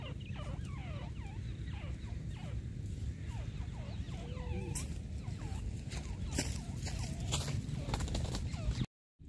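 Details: Grey francolin (teetar) from a hunting setting: quick hooked notes, each rising then falling, repeated several times a second. The calls are fairly faint over a strong low rumbling background, with a brief silent cut near the end.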